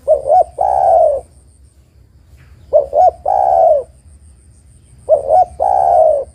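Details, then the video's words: Spotted dove female calling the male, used as a lure for male doves: three phrases spaced about two seconds apart, each two short coos then a long, smooth coo. "TEKUKUR BETINA MEMANGGIL JANTAN ini PALING PANDAI membuat TEKUKUR JANTAN bunyi"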